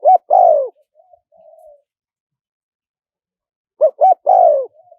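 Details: Spotted dove giving a small-voiced wild-style call for luring wild birds: a short coo and long descending croo, soft murmurs, a silent gap, then two quick coos and another falling croo.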